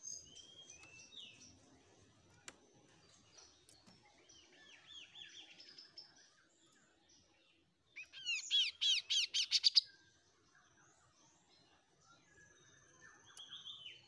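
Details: Oriental magpie-robin, an untrained bahanan bird starting to find its voice: scattered soft whistled and chirping phrases at varied pitches, then a loud two-second burst of rapid repeated high notes, followed by further quieter warbling; faint low background noise.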